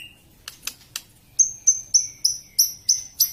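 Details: White-rumped shama singing a harsh, rapid song: a few sharp clicks, then a run of seven high, buzzy notes, each starting with a sharp attack and fading, repeated about every third of a second.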